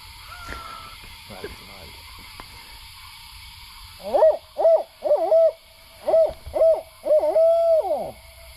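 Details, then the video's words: An owl in a remote swamp in the Deep South of the US gives a loud series of about seven rich, mid-pitched hoots over four seconds, the last drawn out and sliding down, after faint earlier sounds. "Crazy Owl Calls"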